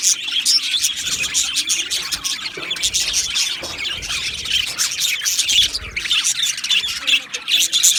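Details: Aviary colony of Australian budgerigars, 12 July 2025, keeping up a constant bright chatter: quick chirps, squeaky notes and warbled phrases from numerous birds overlapping without pause.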